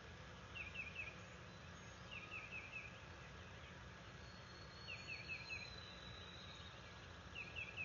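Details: Bald eagle at a nest at NCTC on May 11, 2022, while a branch is delivered; faint bursts of four or five quick, squeaky high notes repeat every couple of seconds over a steady low rumble.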